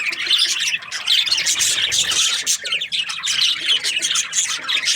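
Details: Budgerigars in breeding season chirping loudly together: sharp squeaky notes and buzzy warbles layered densely, with occasional short dips in volume between bursts.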